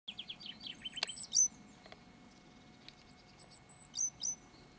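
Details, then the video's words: Great tit giving a rare communication call: a quick run of short descending notes opens, followed by very high, thin drawn-out whistles and sharp ticks, repeated in two bouts with quiet between. "Great Tit rare communication call"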